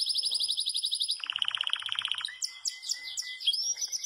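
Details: Yellow Belgian canary in full song, singing a great deal in the campainha style. It opens with a high, buzzy, fast trill, drops into a lower rapid rolling trill, then breaks into varied whistled notes and quick upward sweeps.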